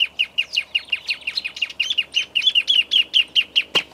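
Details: Grassland Yellow-Finch (Sicalis luteola), called misto, in Esperanza, Santa Fe, Argentina, 2023: a dense, fast run of high, bright chirping notes, each slightly downslurred, continuing through the whole stretch, one sharp click near the end.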